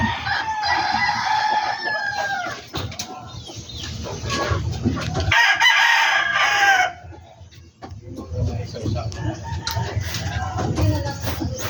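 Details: Chickens on a backyard poultry farm: roosters crow repeatedly, and a loud, harsh crow dominates mid-clip. Clucking continues around the crows over a constant low hum.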